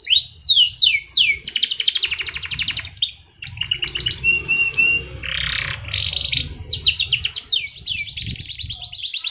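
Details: A canary delivers a rich, continuous song of rapid rolling trills, sweeping whistled slurs and a few harsher burry notes, phrases shifting quickly from one type to the next over low background hum.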